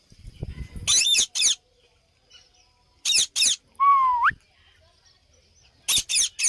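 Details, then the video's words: A pet rose-ringed parakeet (Indian ringneck) gives three pairs of harsh, raspy screeches a couple of seconds apart, with a single rising whistle between them. "Parrot talking"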